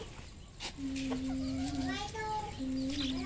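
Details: Red junglefowl on a farm in Cambodia: long, flat, steady peeping notes, some held over a second, with higher whistled harmonics and brief sharp clicks between them.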